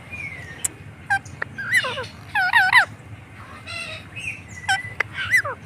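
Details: Pet green parrot kept at home, giving a series of short harsh harmonic squawks and wavering nasal calls, some in quick pairs, with sharp clicks between and a steady low hum underneath.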